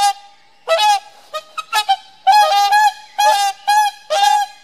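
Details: Bonded pair of whooper swans trading nasal bugle calls: a few short clipped notes, then a run of longer, loud honks roughly once per second.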